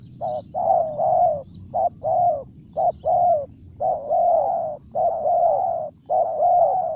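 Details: Spotted dove, Ninh Thuận province, Vietnam, repeating mellow low coos, quick short notes alternating with longer held ones, around ten notes over seven seconds, with occasional faint twittering of small birds behind.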